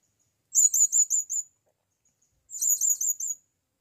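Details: Blue-crowned hanging parrot calling a female on its first trip to the forest: two bursts of rapid, shrill, high-pitched notes, five or six each, separated by a two-second pause.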